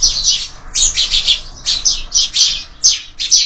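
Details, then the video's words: Sparrows feeding at a window feeder at breakfast: loud, high, sharp chirps repeated in rapid bursts, several birds overlapping in lively twittering. "Воробьи в кормушке"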